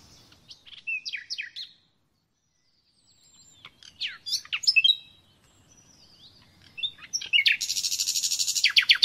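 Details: Song of a common nightingale, recorded for teaching caged birds: varied slurred and falling phrases separated by silent gaps, closing with a dense, harsh, rapidly repeated rattle of high notes.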